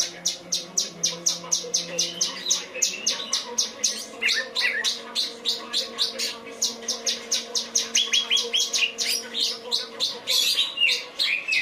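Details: Kinoi song material from a cucak cungkok: a long fast string of sharp high chips at roughly four per second, broken by twittering runs and brief whistled slurs, continuing steadily throughout over a low constant hum.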